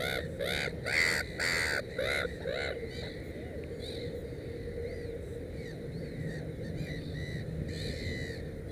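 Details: Black-headed gull at a nest holding three chicks: a loud burst of raucous, grating cries opens, then softer, drawn-out arched calls follow roughly twice a second amid a background of distant gull voices.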